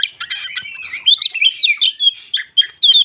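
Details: White-crowned shama lure song used to provoke trainee birds: a rapid run of bright, warbled whistles and chattering notes, rising and falling in short loud phrases.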